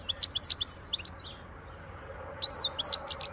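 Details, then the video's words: Wild European goldfinch in song, 2023: rapid, liquid twittering with high chirps and a drawn-out buzzy note, a brief pause, then another quick tumbling burst of tweets. "تغريد حسون خلوي"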